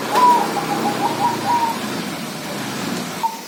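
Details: Zebra dove of Bangkok or local stock coos in a short run of low, wavering notes during the first two seconds, then quiet, with one brief note returning near the end over faint background hiss.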